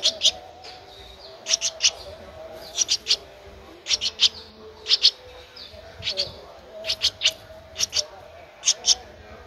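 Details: High, sharp chirps from a 13-day-old Streak-eared bulbul nestling recorded 15 April 2023 in Ubon Ratchathani, Thailand, given in quick pairs and triplets roughly once a second, with a faint background drone.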